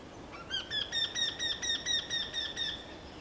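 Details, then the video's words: Eurasian wryneck calling: a rapid sequence of roughly eleven plaintive, nasal notes over about two seconds, evenly spaced and of similar pitch, against quiet outdoor background. "Krętogłów ( Jynx torquilla )"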